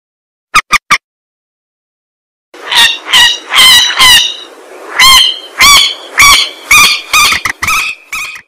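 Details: Swamphen lure call used to attract birds: a few sharp clicks, then harsh, nasal squawking notes repeated roughly twice a second in an uneven, loud series.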